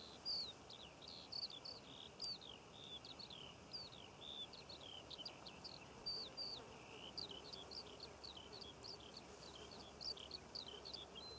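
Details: Eurasian skylark singing over poppy fields in Cornwall in June: a continuous, fast stream of high chirps, trills and slurred whistled notes, fairly faint over a steady background hiss of wind or field noise.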